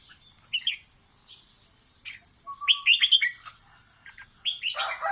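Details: Red-whiskered bulbul singing to teach chicks, with scattered short chirps building into a loud, rapid, cheerful warbled phrase over a level tone, then a rising burst at the close.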